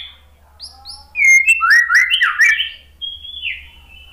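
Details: White-rumped shama (murai batu) prompting song meant to make a silent, stressed shama respond: a few soft high notes, then a loud burst of tumbling, twisting whistles and sharp chips, ending in a drawn-out high whistle.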